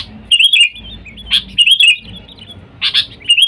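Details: Sooty-headed bulbul call, used as a lure to attract wild bulbuls. Rolling, chattering warbles dip and rise, broken by abrupt snapping notes, repeated in irregular bursts roughly every second over soft background rumble.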